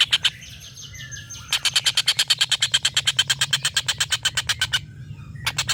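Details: Long laughing call of a collared kingfisher (tengkek buto), used to tutor competition songbirds: a long, steady series of rapid, harsh, broadband kek notes, preceded by a brief whistled phrase, with a low background hum.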